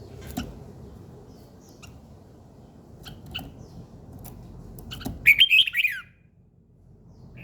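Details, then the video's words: A bird singing in the morning; after several seconds of scattered light clicks and low background hum, a quick loud warbling phrase of tumbling high notes about a second long, then stillness. "Buổi sáng nghe chim hót chơi"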